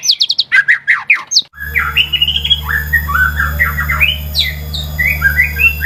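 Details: White-rumped shama song used to provoke caged birds into singing. A burst of sharp, high chattering notes is followed by a jumble of varied warbled phrases over a steady low electrical hum.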